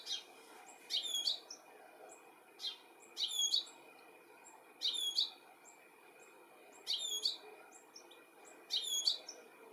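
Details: European goldfinch in the UK, July 2017, calling as it looks for its young; five clear bursts of high tinkling chirps, each a quick rising-falling cluster, spaced about two seconds apart, with a low constant hum behind.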